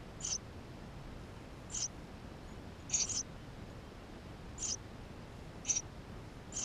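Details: Eurasian tree sparrow nestlings inside their nest, filmed with a GoPro camera: thin, very high squeaks, six short notes spaced irregularly about one to one and a half seconds apart over quiet background hiss.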